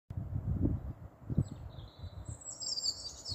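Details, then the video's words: European robin singing at night under street lights, which may fool it into thinking the sun is up: a thin, high, wavering phrase in the second half over a steady low rumble. Staple Hill, Bristol, 13 April 2020. "Robins singing at night"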